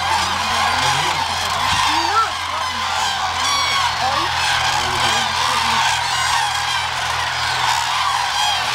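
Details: Dense chorus from thousands of migratory Common Cranes feeding at Hula Lake, upper Galilee, Israel, on 31 December 2011. Overlapping trumpeting and honking calls form a continuous wall of sound, with low human voices faintly underneath.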